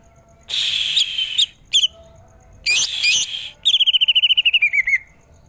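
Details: Greater green leafbird, cucak ijo, giving varied loud whistled and chattering notes followed by a rapid run of about fifteen repeated notes gently falling in pitch.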